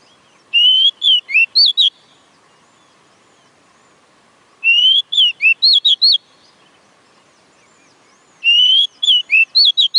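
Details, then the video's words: Oriental magpie-robin singing three bright whistled phrases about every four seconds, each a rising slur followed by quick varied chirps and trills, with a faint steady low hum underneath. "Chích chòe than hót bá đạo"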